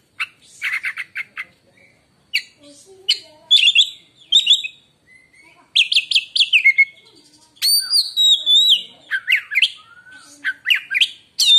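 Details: White-rumped shama, a songbird kept for singing, with a varied song meant to silence other shamas: rapid chattering bursts, whistled notes around high pitch, sweeping rising and falling phrases in quick clusters separated by short pauses.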